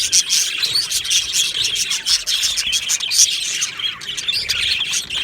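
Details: Budgerigars in an aviary colony, recorded 22 June 2025, chattering and warbling in a dense, continuous chorus of high, scratchy chirps and short whistles with no pauses.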